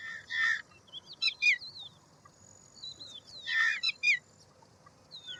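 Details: Indian roller producing two harsh rasping phrases about three seconds apart, each followed by sharp chattering notes, with quick rising and falling whistles of other birds around them.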